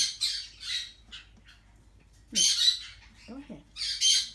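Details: Four-week-old yellow-chevroned parakeet chick, Brotogeris chiriri, kept indoors, giving harsh, noisy high squawks in short bursts, some spaced and some clustered, while a woman talks softly and encouragingly nearby.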